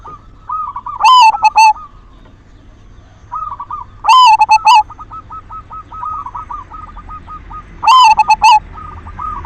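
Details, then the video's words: Singing silver zebra dove, a lure sound for prompting other doves to sing. Three loud, chopped, vibrant coo phrases come roughly every three and a half seconds, joined by soft repeated coo notes. "Perkutut silver gacor SUARA PANCINGAN cocok buat merangsang BIRAHI BUNYI"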